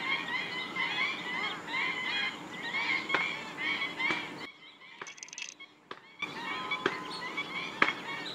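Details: Black-winged stilt flock in a migratory bird wetland at Gathera, Gujarat, India; busy chorus of yapping calls, abruptly dropping out midway to quieter high chirps, then resuming with scattered sharp notes.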